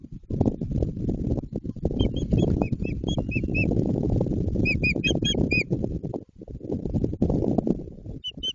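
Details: White-tailed eagle at the start of the nesting season near Jedwabno, Poland, while nest building begins: runs of short, high yelping notes in quick succession, partly buried under loud, steady rustling and crackling of nest material.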